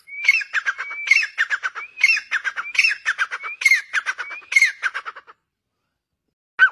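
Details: Grey francolin, possibly a female, repeats a loud, harsh phrase about six times in five seconds, each opening with a rising whistle and breaking into rapid grating notes.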